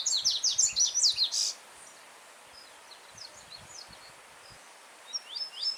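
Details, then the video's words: Wild yellow-bellied seedeater singing freely, with a gently running stream behind. A rapid burst of strong, high, slurred notes lasts about a second and a half. Faint scattered notes follow, then the bird resumes loudly at the end. "Coleiro Baiano Cantando Forte com Som de Riacho ao Fundo"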